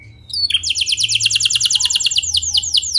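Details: Canary singing a clear rolling "ngeroll" song, played as a lure to get other canaries singing: after a short opening note, a fast, even trill of bright repeated notes runs about eight per second, ending in slower swooping notes, over a low steady hum.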